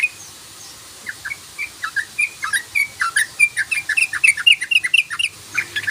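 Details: Rapid 'ropel' lure song of a sooty-headed bulbul. Starts quiet, then short chirpy notes come about four a second and speed up into a tight, excited chatter toward the end.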